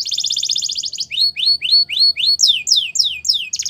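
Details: Canary song used to train young birds, Russian and Belgian canary: a fast ringing trill opens, followed by a tour of upward-swooping whistles and then sharp downward-sweeping notes, each repeated at a brisk even pace.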